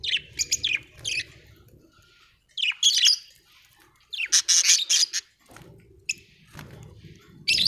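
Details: Budgerigar chirping happily: quick squeaky chirps, then loud, harsh chattering bursts separated by short silences, over a faint low background rumble.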